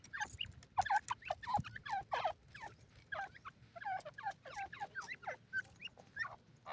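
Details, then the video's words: Francolin chicks in a forest giving a dense stream of short, high peeping calls, many overlapping, some rising and some falling, with few gaps over the whole stretch; low background rumble. "dhobi teetar ke awaaz,francolin partridge bird baby in the forest"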